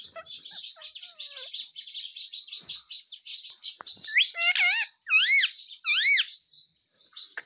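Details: A pet parrot chatters in soft, twittering, scratchy notes, then breaks into three loud, arched, squealing squawks near the end.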